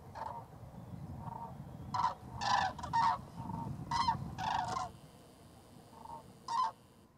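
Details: Common cranes at Strabrechtse Heide on 24 February 2014 give loud, rolling trumpet calls, about a dozen in seven seconds, some overlapping as several birds call together, over a steady low rumble of wind.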